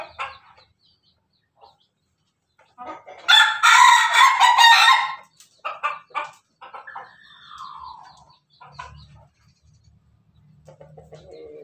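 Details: Pelung chicken, a kept bird, recorded 17 May 2024 giving a laughing crow: after near silence, a loud, bright, pulsing burst of about two seconds, then broken notes and a falling, drawn-out tail, with faint low rumbling after.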